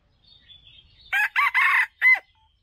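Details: Crow of a wild male red junglefowl, recorded as bait for bird traps: after thin high chirps, a hoarse broken phrase of three syllables ends in one short, sharply cut final note.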